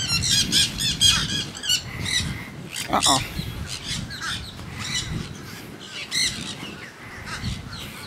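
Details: Wild monk parakeets at St. Pete Pier squawk in a busy flock, with harsh, grating calls overlapping almost nonstop; faint voices and a low outdoor rumble sit underneath.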